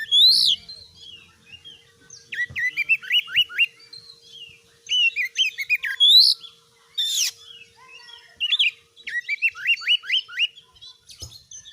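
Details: Oriental magpie-robin in energetic master song to provoke other birds: phrases of rapidly repeated rising whistled upslurs separated by short pauses, interspersed with high scratchy notes and a single harsh burst, steady faint background hum.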